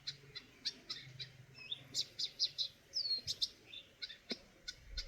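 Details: Eurasian nuthatch chirping steadily: bright, short high notes repeated several times a second, mixed with a few longer downslurred whistles and occasional clicks.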